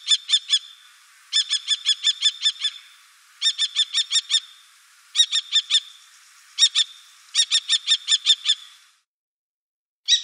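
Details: Common kestrel calling in the Wittlicher Tal in 2018: a series of shrill, ringing notes delivered in rapid bursts of four to seven, with short gaps between bursts and a brief silence near the end.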